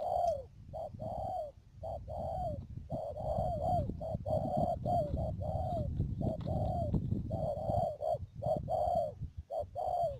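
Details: Decoy spotted dove used in trapping, Mương Điều area of Đầm Dơi, Cà Mau, 12 March 2019; steady run of mellow cooing notes, short then longer slurred ones, repeated continuously over a low rumbling background.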